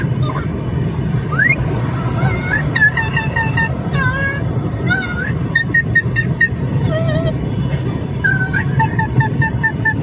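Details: A talking Amazon parrot riding in a car calls non-stop, keeping up short, nasal, honking calls and word-like phrases, a few every second, over a steady low engine rumble.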